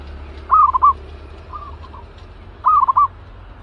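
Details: Caged zebra dove, described as fierce and ready for training as a trapping decoy, giving two rolling, stuttering coo phrases about two seconds apart with a softer phrase between them, over a low steady hum.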